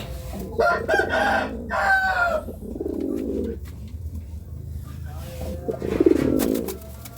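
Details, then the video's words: Courting pigeon heard amid rough, broadband bursts early on, followed by two low, throaty coo phrases near the middle and the end, over a constant low background hum. "Suara Burung Merpati merayu"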